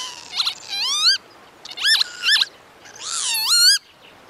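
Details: Northern lapwing, a crested wader, uttering three bursts of nasal, dipping-then-rising whistled notes, each burst ending in a long, upward-swooping wheeze.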